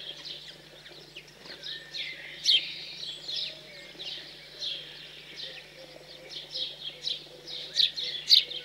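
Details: Fledged house sparrows being fed in cold rural central France, 15 June 2020; irregular chirps about two a second, mostly moderate with a few sharper peaks late on, over steady low hum.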